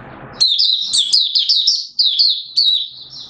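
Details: Malaysian Mata Puteh, or Oriental white-eye, in open buka song, Singapore, 29 March 2023, humid with sudden showers: a continuous run of sharp, high, warbled chirps falling and rising in quick succession, little background noise.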